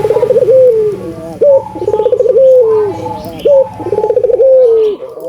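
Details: Energetic albino Barbary dove song, played to make doves vocalise: three repeated phrases of a rapid trill, a sustained falling coo and a quick rising note, steady every couple of seconds over a faint background murmur.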